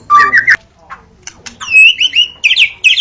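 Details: Short burst of white-rumped shama (murai batu) song as masteran: a steady whistled note, a brief pause with soft clicks, then loud bright whistles and buzzy trilled notes repeated in quick succession.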